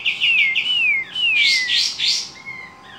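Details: Javan kingfisher giving a series of clear, high, downslurred whistles, each sliding lower over about half a second, mixed with loud harsh bursts, ending on a softer level whistle.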